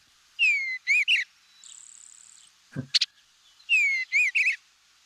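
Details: An Eastern Bluebird sings two short phrases of clear, slurred whistles with chattery notes, about three seconds apart, with a thin high buzz, probably a grasshopper sparrow in the background, and a sharp click in between.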